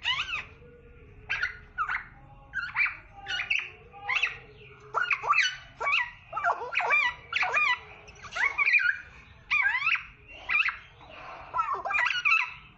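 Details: Black-naped oriole (kepodang), singing prolifically, delivers a long sustained sequence of loud, varied, rapidly modulated notes in bursts roughly every half second to second, with only a faint low hum beneath.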